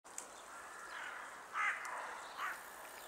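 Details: A European green woodpecker gives two short, harsh calls about a second apart over a steady background hiss, recorded on 23 January 2024 in Tivoli Landscape Park, Ljubljana, Slovenia.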